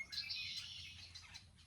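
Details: Red-winged blackbirds, likely nesting, at a lake park in Alachua County, North Central Florida, in June, foraging and chasing each other: a dense chorus of bright, buzzy, high trills and chatters, with common and boat-tailed grackles mixed in.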